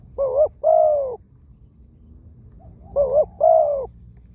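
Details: Spotted dove used as a ground decoy bird, described as a wild-caught bird with a small voice and many coos. It gives two paired phrases, each a short wavering coo followed by a longer, steady, hollow coo, separated by a pause. Low background rumble.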